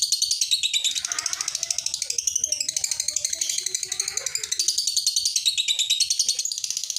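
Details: Lovebird giving a long ngekek chatter, a rapid, steady stream of high buzzy pulses about eight per second that runs unbroken through the whole stretch, indoors, with faint low knocking underneath.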